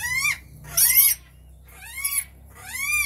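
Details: Rainbow lorikeets giving a few loud, squealing calls, each an arched note that rises and falls, separated by short pauses in a quiet indoor setting.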